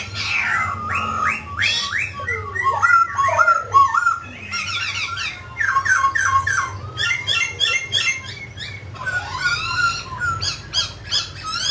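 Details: A mutant grey laughingthrush, singing and dancing, gives a fast, varied run of rich whistles, slurred notes and chattering phrases, shifting pitch and pattern constantly, over a low steady hum.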